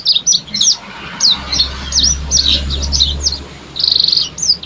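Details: Yellow-fronted canary singing energetically (gacor): a fast run of high, twittering whistled phrases with quick up-and-down notes. A buzzy trill near the end. A low steady hum runs underneath through the middle.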